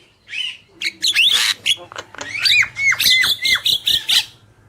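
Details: Black-winged myna, male and female, in a lively singing bout: harsh squawks and broadband bursts mixed with series of clear downward-swooping whistles, loud and closely spaced.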